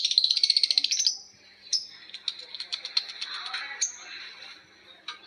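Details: Lovebird ngekek panjang with birds answering: a fast rattling series of about twelve shrill notes, then a long stretch of rapid scratchy chattering and high squeaks.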